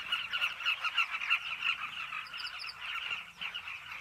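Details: Carmine bee-eaters at a cliff nesting colony: a dense, continuous chatter of many birds calling at once, rolling throaty notes overlapping at a fast, uneven rate, with brief higher chirps around the middle.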